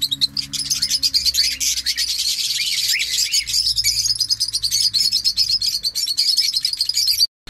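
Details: Parrot chirping in a dense, continuous stream of sharp, high twittering notes with a few short rising squeaks, steady low hum underneath, ending abruptly.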